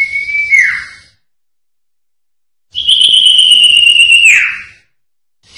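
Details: Common Iora sertu-style song for tutoring caged songbirds: two long, steady, high whistles, each held for over a second before dropping sharply at the end, with silence between them.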